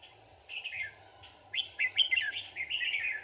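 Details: Red-whiskered bulbul singing as a trapping decoy on 4 March 2019; quick, bright warbling phrases repeat in a short run over faint background hum.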